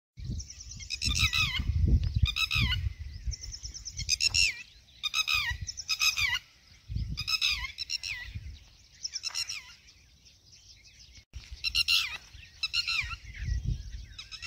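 A red-wattled lapwing gives loud, shrill bursts of sharp, falling notes, repeated about once a second, with brief pauses, over a low wind-like rumble.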